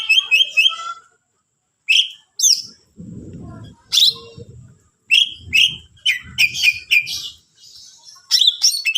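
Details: Greater green leafbird song meant to provoke rival leafbirds, delivered in short sharp bursts of whistles, chips and buzzy trills separated by brief gaps, with faint low rustling between phrases.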